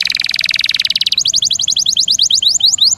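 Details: Canary song used to train songbirds, featuring long rolls and varied bursts: a fast buzzy rattling roll of pulsed notes for about a second, then a rapid series of short rising chips, all high-pitched and sustained.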